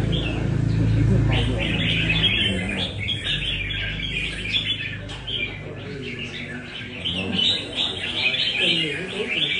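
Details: At a Đà Nẵng cafe in Vietnam, a red-whiskered bulbul from Nam Đông practices its song: rapid lively whistled chirps in dense clusters, over a steady low hum and faint voices.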